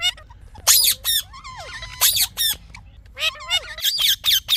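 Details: Talking parrot making chirping sounds: harsh broadband squawks mixed with arched whistled notes that rise and fall, in uneven bursts of about one per second, with no other noise.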